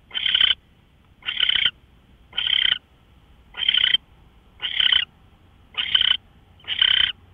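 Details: Owl recorded on March 24, 2013 at 5:27 a.m., repeating short rasping hiss calls about once a second, seven bursts in just over seven seconds, with a faint low hum beneath.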